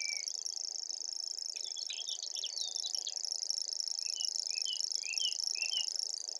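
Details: Continuous high-pitched mechanical reeling from a common grasshopper warbler, even and unbroken, while other birds add short slurred whistles and chirps in the background.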